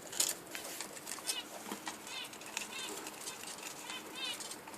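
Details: Budgerigar chirps, bright and rapid, mixed with fluttering wing sounds and sharp clicks, fairly close and loud over background hiss.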